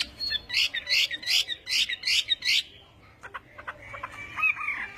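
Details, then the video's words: Chinese hwamei morning song practice: six loud, rasping, repeated phrases about every third of a second, then quieter short notes and soft whistles. "Hoạ Mi Hót Đấu /hoạ mi hót sáng luyện giọng"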